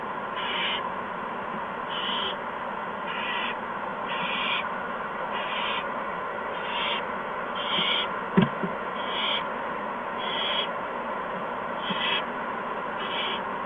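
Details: Owl nest on March 13, 2015, shortly after 8 PM, with mice and a gopher brought to the owlets. Short harsh hisses repeat about every second throughout, over a steady hum, with one sharp knock midway.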